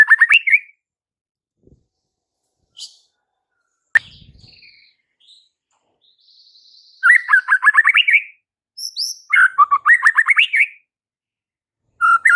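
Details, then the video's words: Provoking song of a White-rumped shama aimed at fighter males, with quick rattled phrases rising in pitch, separated by quiet gaps, a faint thin whistle and a low thump. "MURAI BATU FIGHTER akan TERPANCING EMOSI NYA dengan Murai Batu GACOR INI"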